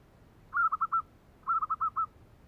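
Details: Zebra dove cooing in the kerok style: two soft, low, rolling phrases, each made of four or five quick stuttered notes, with a quiet gap of about half a second between them.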